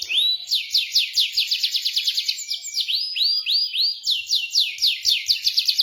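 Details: Trigger song for a canary that has gone quiet: rapid sweeping notes in repeated bursts, a few slower rising slurs midway, then the quick sweeps return, clear and continuous.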